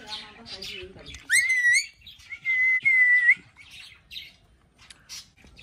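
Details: Jenday conure calling: a loud call that rises sharply and then holds steady, with rich harmonics, followed by a longer, even, level note of about one second. Softer chatter and faint background sounds come between the calls.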